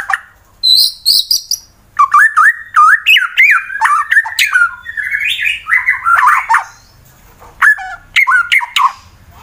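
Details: Fighter white-rumped shama in Wonosobo, Central Java, Indonesia, used to make rival birds sing: high thin notes, then a long rich run of rapid warbled whistles and clicks with short pauses.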